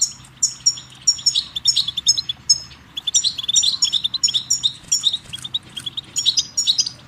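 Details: Goldfinch song used to tutor chicks and songbirds: steady, lively twittering of high, chiming notes and short trills, in repeated phrases with a low hum beneath.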